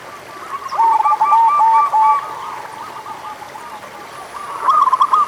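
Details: Local zebra dove song for stimulating reluctant singers: a rolling phrase of quick, soft coo notes for about a second and a half, quieter background cooing from another bird, then a louder closing burst of coos.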